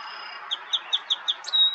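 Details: Song sparrow singing in May in Ontario, Canada, opens with five sharp, regularly repeated high notes in quick succession, then ends on a brief sweeping slur and a sustained thin tone.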